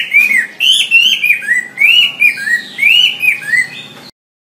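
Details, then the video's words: Tutor song of a Wambi for training songbirds: loud, rich whistled phrases rising then falling, about two phrases per second, ending abruptly in silence. "Suara WAMBI untuk masteran burung kicau anda"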